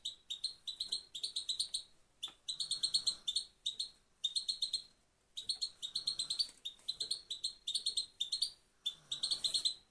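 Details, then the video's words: Female goldfinch singing: rapid, high twittering bursts of bright chirps and trills, delivered in phrases of one to two seconds separated by short pauses. "Female goldfinch only one sound singing"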